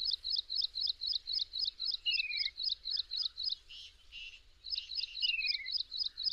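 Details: Slender-billed babbler in Kaziranga National Park with a fast run of sharp, looping chirps, about four per second. Two falling whistles cut in partway through. Brief rustling breaks the series in the middle.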